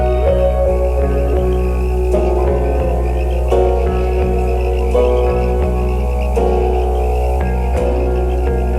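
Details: Ambient music with a deep sustained drone, layered tones and soft rhythmic beats, with no animal sounds.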